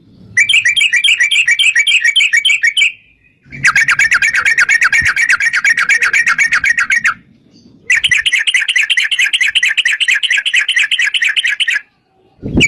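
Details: Yellow-vented bulbul in a long rapid 'ropel' song meant to lure other bulbuls into singing: three extended bursts of fast, bubbly chattering notes, each about three seconds long, separated by short silent gaps.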